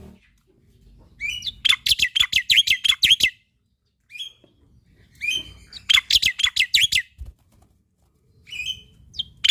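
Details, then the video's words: Male black-winged myna, singing eagerly as a tutor for young starlings: two quick bursts of loud, scratchy chattering notes run together rapidly, followed by a few isolated short whistled notes. "Masteran Burung Jalak Putih Gacor Full Isian Untuk Jalak Nusa / Jalak Pito Muda"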